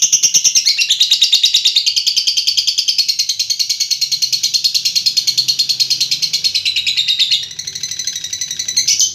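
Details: Lovebird in a long ngekek trill: a continuous, rapid, harsh chattering rattle sustained for about seven seconds, briefly dipping, then resuming with more pulsed chatter.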